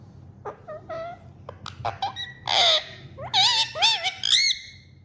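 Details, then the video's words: A talking pet parrot indoors gives a run of harmonic, sliding vocal sounds: short upturned notes at first, then louder wavering, bending phrases near the end, partly speech-like, with quiet pauses between. "Talking Parrot Says Funny Words and Whistles Perfectly"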